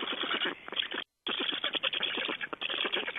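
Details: Begging black stork nestlings in Estonia, 8 June 2012, during a feeding with large fish: harsh, rapidly repeated chattering pulses, broken once by a short silent gap.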